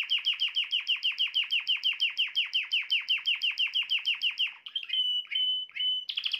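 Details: Canary singing, a song said to bring the female quickly into the mating posture; a long run of sharp downslurred notes, about six each second, followed by brief whistled notes and a buzzy close.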